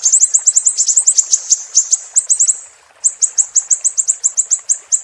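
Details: Siri-siri singing for a songbird tutor recording: dense bursts of thin, high-pitched chirps, a short gap around the third second, then another fast, evenly spaced chirp series.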